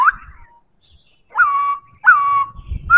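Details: White-browed laughingthrush singing: a quick rising whistle, then two clear, steady whistled notes held for about half a second each, with brief pauses and faint low rumbling underneath.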